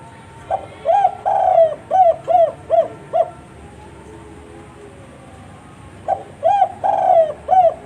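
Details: Spotted dove calling: series of low hollow coos, an opening note, a longer double coo, then four short evenly spaced coos, the phrase repeated after a pause; faint background hum.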